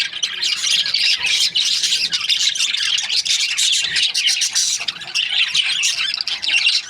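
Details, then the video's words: Budgerigars kept as breeding pairs, a dense chorus of many birds chirping and squawking together, high scratchy and warbled notes overlapping continuously with no pauses across the whole stretch. "Budgies parrot chirping sound"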